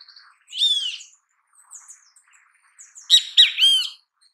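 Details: Great kiskadee in its natural habitat: a raspy burst early on, then after a pause a loud cluster of three harsh, ringing notes in quick succession; faint calls of other birds in between.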